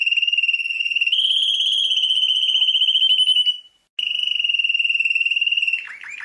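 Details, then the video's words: World-champion canary holding a long, steady, rapidly pulsed trill, broken by a short silence, then resuming the same even rolling trill and ending in a few lower wavering notes. "Canto de canario"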